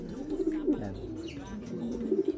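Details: Racing pigeon coos from a loft, deep purring notes rising and falling in a soft rolling phrase, repeated twice with a short gap, over low room noise and faint voices.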